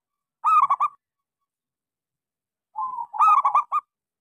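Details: Lure song of a local zebra dove, played to coax quiet doves into singing: two bright phrases, each a short rising coo breaking into four or five quick, clipped, stuttered notes, separated by silence.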